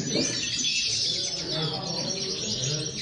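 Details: Song of common linnets: fast, busy high-pitched twittering and chattering notes run together without pause, a steady bright chorus over soft low-frequency background noise.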